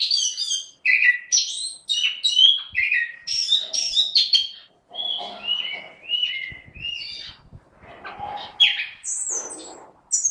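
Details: Caged orange-headed thrush singing a long varied sequence: fast mixed notes, then a run of falling whistled phrases, then more jumbled warbling with high sharp notes at the end.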